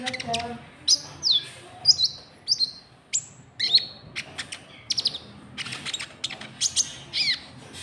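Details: Rival-luring call of a white-cheeked bulbul: a lively series of high, sharply descending chirps given about every half second, with brief crisp clicks between them and a quiet background.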